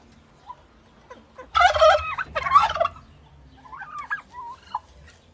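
A turkey gobbles twice in quick, rattling bursts, each about a second long, followed by softer yelping clucks.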